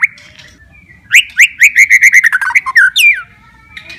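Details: Caged white-rumped shama's 'gacor' song for stimulating quiet or stressed shamas: a soft whistle, then a fast run of about ten bright repeated chip notes with rising overtones, a falling slur, and a closing whistle.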